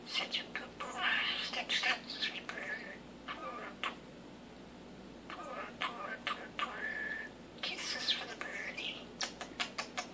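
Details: Male common starling kept indoors, practising his newly learned phrase "big kisses for the bird", which he says all day; bursts of speech-like syllables mixed with sharp clicks and bright whistled notes, coming in two clusters separated by quieter chatter.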